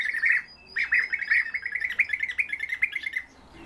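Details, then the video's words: European bee-eaters calling: a rapid run of liquid, trilled notes near one pitch, repeated almost a second apart in a burst lasting about two and a half seconds, following an opening call. "Merops apiaster щурки"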